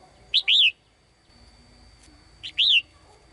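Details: Female bird singing in a cage to call a male, giving two matching phrases about two seconds apart, each a short high note followed by a longer arched whistle.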